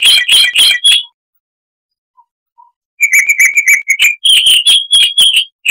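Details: Chestnut-vented warbler (Sylvia subcaerulea) giving loud, clear chirps in quick bursts, a silent gap of about two seconds, then more rapid ringing notes.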